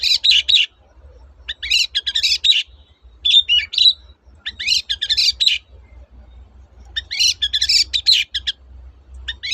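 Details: Long-tailed shrike song used to prompt silent shrikes to sing again: bursts of harsh, scratchy, chattering notes with mixed whistles, in phrases about one second long separated by short pauses, with a faint low hum beneath.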